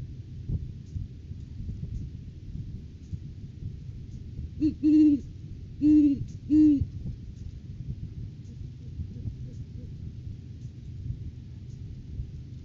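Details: A great horned owl gives three deep, soft hoots in quick succession, the last two close together, over a steady low rumble of wind or rain. It calls at a nest tree on 9 January, during courting season, as the male brings a rodent gift to the female.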